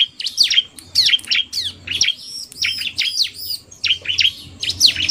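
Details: Bar-winged prinia song combining a male in full song and a quick-calling female: rapid sharp chirps and buzzy swept notes in dense bursts, nearly continuous, with a faint low hum beneath.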